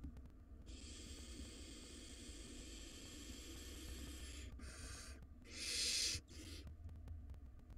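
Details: Wild barn owl nestlings in a nest box fighting over a very large rodent; a long, soft, sustained hiss lasting several seconds, then short bursts ending in one loud harsh screech-hiss.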